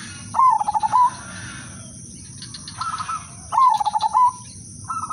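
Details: Zebra dove of the udanmas silver type, a lure bird: two loud rapid rolling coos about three seconds apart, each ending in a short held note, with soft higher phrases between.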